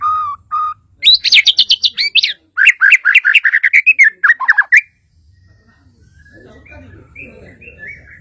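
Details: Bornean white-rumped shama from Kalimantan opening with two level whistles, then a fast burst of rapid, sharp high notes and descending slurs; after the song stops, soft distant twitters and low hum remain.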